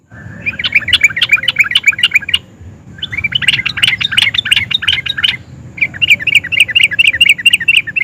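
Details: Excited sooty-headed bulbul in constant full song, in the styles called nguplik and ngerol, which provokes other sooty-headed bulbuls to answer. Three bursts of fast, rolling, chattering notes run over eight seconds, with brief pauses between bursts.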